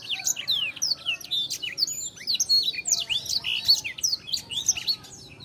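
Black-throated Canary in fast, continuous twittering song of high, sweeping and buzzy notes tumbling over one another, with a faint low hum beneath.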